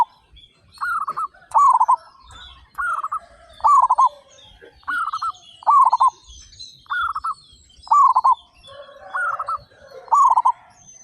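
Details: Local zebra doves, 35 birds singing eagerly and loudly, give about ten stuttering coo phrases over eleven seconds. The phrases come roughly once a second, with loud and slightly softer voices taking turns.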